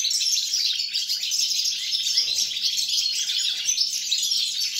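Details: European goldfinch song recorded on 29 December 2022: a dense, unbroken stream of rapid high twitters and tinkling trills, with a faint steady low hum underneath.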